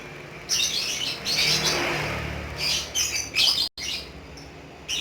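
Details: Rapid high chatter from a lovebird in ngekek style: buzzy, crowded twittering that swells for about three seconds, then a few sharper bursts before a pause.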